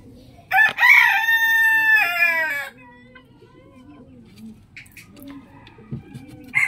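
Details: Rooster crowing in the morning: a loud, harmonic cock-a-doodle-doo lasting about two seconds with a short opening note, followed by quieter background clucking and soft murmurs.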